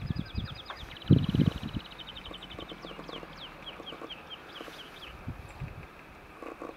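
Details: A South Island takahē, on Kāpiti Island or in Orokonui sanctuary, New Zealand, gives a short burst of deep, hollow clucking thumps; a smaller bird adds fast thin, high, falling notes over steady hiss.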